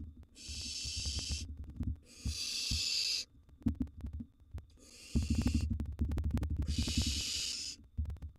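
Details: Wild barn owl nestlings in a monitored nest box during a feeding frenzy with a mouse prey drop, giving long rasping, hissing screeches about a second each, four bursts, over low thumping and shuffling from the chicks eating.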